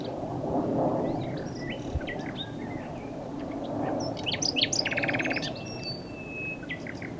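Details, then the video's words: Common nightingale singing over a steady low rumble, with scattered short whistles and chirps, then a burst of fast, dense repeated notes midway before quieter whistled phrases close. "A Nightingale singing"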